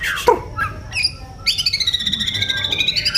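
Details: Oriental magpie-robin, a prized singer of the Indonesian bird-keeping scene: a few scattered whistles and chips, then a rapid, evenly pulsed trill of rich ringing notes that continues to the end, with faint low background noise.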